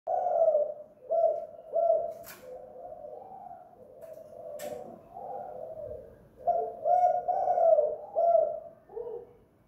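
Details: Spotted dove kept at home, calling in the 'kuk gantung' lure style used to draw other doves: low, hollow coos grouped into repeated phrases with short pauses, swelling and fading, with a few faint clicks indoors.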